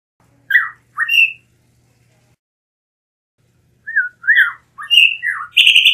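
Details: Blue mockingbird, a Mexican endemic, singing: short rich whistled phrases around the middle pitch, a pair near the start, then after a three-second pause a quicker run of varied slurred notes ending in a higher buzzy phrase.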